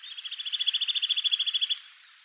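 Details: Wild Eurasian nuthatch at Togakushi, Japan, sings a single rapid trill of about twenty clear whistled notes. The notes build in loudness and run for nearly two seconds before fading into quiet background.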